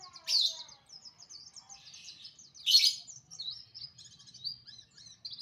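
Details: Oriental white-eye in morning song: quick high twittering phrases broken by two loud, harsh, buzzy bursts, then a run of thin, rapid chirps and trills, otherwise quiet background.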